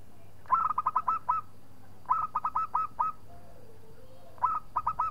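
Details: Local zebra dove, a keen singer provoking a rival: three phrases of rapid, hooked cooing notes, five to six per phrase, spaced about two seconds apart, with a faint lower wavering whistle between and steady low hum.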